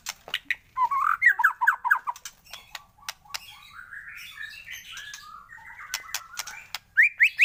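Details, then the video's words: Morning lure song of a white-rumped shama: a fast rolling trill opens, followed by softer warbled phrases and a closing series of three bright rising whistles, with sharp clicks in between. "pANCINGAN masteran pagi agar MURAI BATU gacor!!!"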